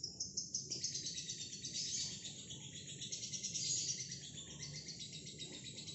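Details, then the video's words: A single female fighter lovebird sustains a long ngekek, an unbroken high-pitched buzzy chatter of fast pulses with slight swells in loudness, against a faint low hum. "Lovebird Singel fighter ngekek panjang"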